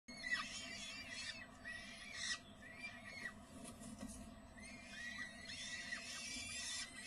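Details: Peregrine falcon in spring during feeding: thin, downward-slurred squealing calls in short bursts, some clustered near the start and later in the clip, over a steady low electrical hum.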